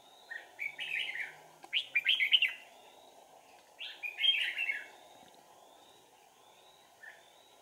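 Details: Red-whiskered bulbul singing as a trapping decoy, 4 April 2019: two energetic bursts of rapid warbled whistles with faint wing noise, followed by quieter scattered notes.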